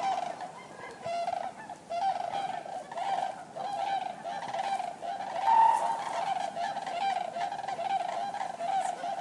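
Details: Common cranes calling in a crowded flock: a ceaseless wall of overlapping trumpet-like honks. A louder burst comes near the middle, and the chorus holds a steady rhythm throughout.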